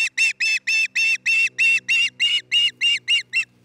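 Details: One of an osprey pair building a new nest in Charlo, Montana, heard from a nest cam on 27 June 2018: a long run of about thirteen rasping, buzzy yelps, steady and rapid, without background noise.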